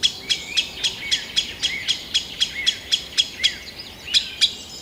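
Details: A Green sandpiper in Kalinovsky forest park, Yekaterinburg, Russia, 2020, gives a fast, even series of sharp, high ticking notes, about four a second, with a few brief upslurred whistles between them.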